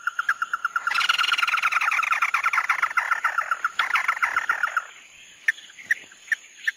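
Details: Chim mắt đỏ singing its tí nỉ song style. A rapid series of clear, even notes repeats several times a second, then breaks into a dense, scratchy rattling trill for several seconds. Sharp separate notes follow after a pause, with a faint steady high whine throughout.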